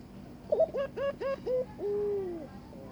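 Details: Barbary dove courting its mate, inviting it to mate: a clipped rising note, four evenly spaced upward-hooking notes, then a long smooth coo that slowly descends and fades.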